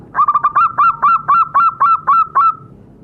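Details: Zebra dove, local Indonesian perkutut, calling as a lure meant to set captive birds singing: a quick run of about twelve clipped, hollow notes at a steady mid pitch, bunched tightly at first and then spaced evenly, over a faint background hum.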